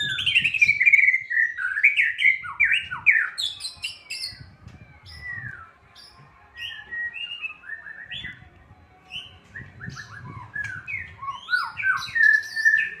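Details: White-rumped shama song played to provoke lazy caged shamas into singing: a rich, fast medley of descending whistles, slurred phrases and sharp high chips, varied throughout, with low thumping noises underneath.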